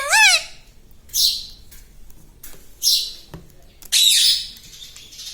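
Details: Pet green rose-ringed parakeet at home: one voiced, wavering talking syllable followed by three harsh, hissing squawks spaced about a second apart.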